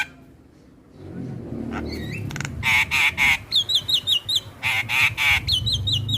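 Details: Starling lure sounds for drawing in other starlings and making quiet ones sing: harsh, grating squawks in quick succession alternating with thin, wavering whistled notes over steady background noise.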